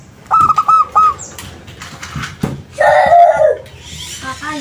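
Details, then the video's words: Local zebra dove singing as a lure for replies: two bursts of short, clipped coos, the second burst a single note. Then a loud, rough, lower sound and clattering noises come in. "SUARA PERKUTUT LOKAL - Pancingan Ampuh bikin Nyaut"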